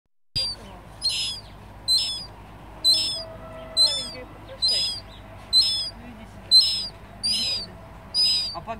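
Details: A subadult mew gull at Flåm, Norway, on 20 September 2015, gives thin, high, piping calls, about one a second, over a low background hum.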